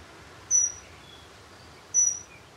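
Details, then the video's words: Dunnock (Prunella modularis) giving two thin, high, piercing single notes about one and a half seconds apart, with faint softer notes between them against steady background hiss. "Vögel und ihre Stimmen - Heckenbraunelle"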